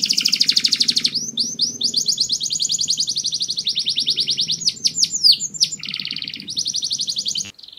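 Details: Canary mating song: an opening dense buzzy trill, then a long run of fast repeated whistled notes, a few sharp slurred sweeps, and a lower rolling trill before ending abruptly.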